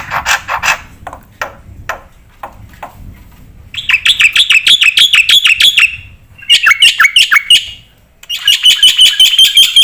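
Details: Black-winged myna singing vigorously with full fill-in phrases: scattered harsh clicks and chatter at first, then loud rapid trains of bright whistled notes repeated about three per second, broken by short pauses.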